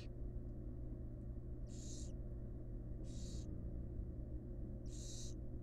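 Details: Female barn owl feeding fledglings in a wild, monitored nest box: three separated hoarse hissing screeches, each around half a second long, with gaps of one to two seconds, over a persistent low hum.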